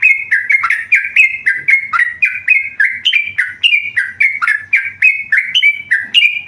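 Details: Tame yellow-vented bulbul singing without pause: a long even string of short sweet whistled notes, each rising or dipping slightly, repeated about three times a second, with a faint low hum.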